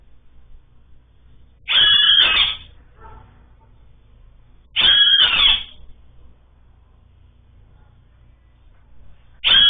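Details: Great kiskadee calling a lot, wild bird of Brazil: loud harsh squealing calls about a second long, repeated roughly every three seconds, each with strong buzzy overtones, over quiet background.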